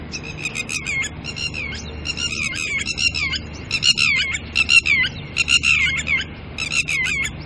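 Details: Red-wattled lapwing pair tending chicks in the early morning, disturbed by a person close by, keeps up loud, insistent alarm notes. Piercing, downward-slurred cries tumble out in rapid clusters with brief gaps over faint low rumble.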